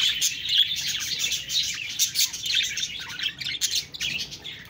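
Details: Bright, high budgie chirps and whistled squeaks tumble over one another in fast, uneven bursts of busy chattering.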